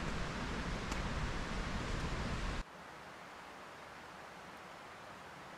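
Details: A steady, loud broadband rush over a mountain stream drops sharply to a quieter hiss after about two and a half seconds, with no animal voice heard.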